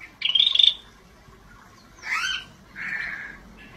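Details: Scaly-breasted bulbul in vigorous gacor song gives a rapid trilled whistle, then a burry slurred note and a soft hoarse phrase, with faint background hiss.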